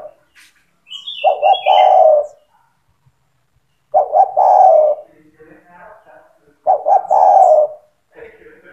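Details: Spotted dove singing, a recording used to train young doves to sing. Three coo phrases, each a pair of short notes then a long falling coo, repeated about every three seconds, with faint higher chirps from other birds between phrases.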